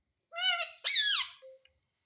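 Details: Pet ringneck parrot talking in a high, nasal, buzzy voice: two harmonic-rich syllables like "mum-my", the second sweeping upward then sliding down, followed by a short thin whistled note.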